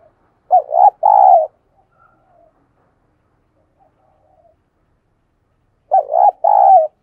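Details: Decoy spotted dove calling to stir wild doves: a double coo with a quick rising note and a longer steady coo, quiet murmurs in between, and the same phrase returning about five seconds later.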